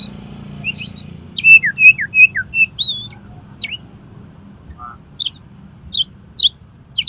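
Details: Oriental magpie-robin song for tutoring contest birds: a rapid row of repeated falling whistles, a wavering high phrase, then spaced sharp high notes and a low whistled note, over faint steady hum.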